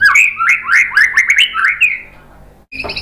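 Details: White-rumped shama, used as a training call to provoke other birds, singing a rapid series of loud, slurred whistled phrases rising and falling, with sharp buzzy notes, fading after two seconds before a brief harsh burst at the end.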